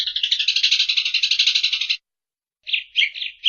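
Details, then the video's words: Eurasian tree sparrow's dry, rapid rattling chatter lasting two seconds, then a pause followed by a few rough chirps, used as training audio for songbirds. "Cerecetan Burung Gereja"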